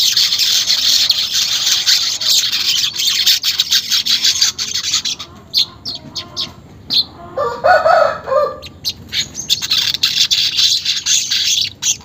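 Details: A weaver's unedited sizzling song, a lure for caged birds to sing quickly: long dense high buzzing, a break with a lower warbled phrase, then the buzz returns.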